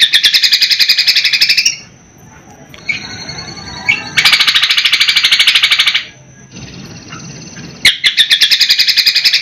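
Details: A greater green leafbird pours out loud, rapid chattering bursts with a thin, high steady whistle between them, mixing in copied notes of other birds, including sparrow and helicopter-like sounds.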